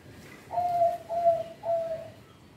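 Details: Local zebra dove song for luring young birds: three soft, even, hollow coos delivered in quick succession over a faint background hiss.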